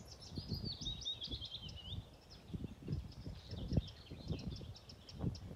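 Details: Willow warbler in song at Lilla Dalby Bjärby nature reserve on Öland, Sweden, 20 May 2023: a sweet, high phrase of clear notes cascading gently downward, followed by faint further notes amid gusting wind and leaf rustle.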